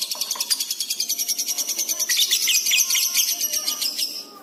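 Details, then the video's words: Excited, fast-responding lovebird singing continuously, used to train pet birds: a dense, rapid chatter of high, buzzy notes, about three per second, with faint lower whistled tones underneath. "love bird gacor cepat respon emosi memuncak"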